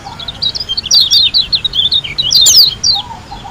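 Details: White-eye from Lombok singing a long, rapid, continuous warble: high twittering notes sliding up and down in quick succession with hardly a pause, over a steady low background rumble.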